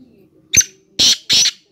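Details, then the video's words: Black francolin (kala teetar) calling: one short harsh note, then three loud, grating, broadband bursts in quick succession, each about a fifth of a second, over a quiet background. "کالا تیتر کی آواز"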